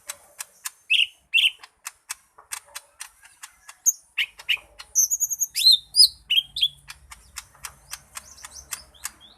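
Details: Lesser green leafbird with a steady series of dry ticks broken by short whistled notes, then a burst of bright chirps and rising slurs midway.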